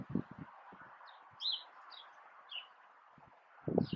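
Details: Northern cardinal singing in a backyard: clear, slurred whistles sliding downward, given singly about once a second, with soft low thumps and a steady background hiss between phrases.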